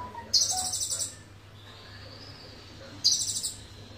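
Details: Sunbird singing a song stuffed with cililin material: two shrill, rapid, buzzy bursts of high twitters, each under a second, separated by quieter pauses over a constant low hum.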